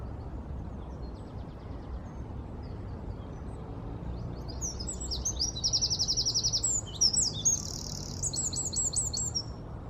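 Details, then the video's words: Wren song recorded in London on 4 November 2019: after several quiet seconds of low background noise, a burst of high rapid trills and sharp whistled notes rings out in the second half. "КРАПИВНИК ГРОМКАЯ ПЕСНЯ גדרון Winter Wren"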